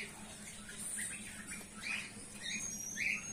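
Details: Colony of golden finches including a female, with scattered high, squeaky chirps coming in uneven clusters, a few brighter notes near the end, over a constant low mechanical hum.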